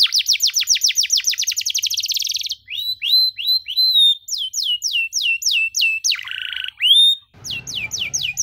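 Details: 'Cengkok mewah' canary song for teaching young canaries: a rapid trill of high notes, then slower curved whistles, a harsh buzzy phrase, one clear whistle, and sweeping notes over brief rustling at the end.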